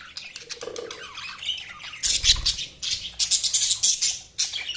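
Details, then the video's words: Budgerigars chirping: dense, high, scratchy chatter with rapid buzzy squawks and chirps in bursts, plus low thumping bumps partway through. "Budgies Sounds| Budgies Chirping sound"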